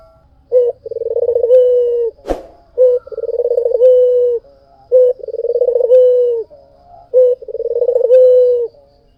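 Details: Steady cooing from a white puter dove. Four similar phrases, each a rapid pulsed roll easing into a held low note, come about every two seconds, with one sharp click early on.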